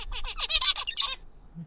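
Zebra finch song: a quick run of about ten nasal, buzzy syllables, high and harsh, over roughly a second, ending with a brief low hum.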